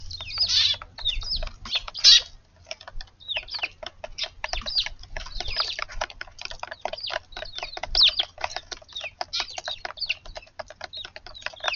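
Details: Eurasian tree sparrows visiting a garden on a March 8 morning to feed, arriving after a bulbul waited there before sunrise; dense, rapid chirps and twittering from several birds, steady throughout with a few louder bursts.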